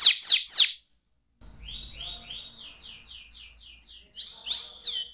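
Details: Young canary: three loud downslurred chirps, a short silence, then softer repeated high swept syllables and rising whistles over faint low background noise.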